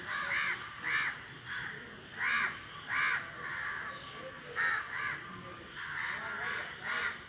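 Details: Flying flock of crows: loud, harsh caws in irregular bursts, some singles and some close pairs, about a dozen over seven seconds, with quieter calls between.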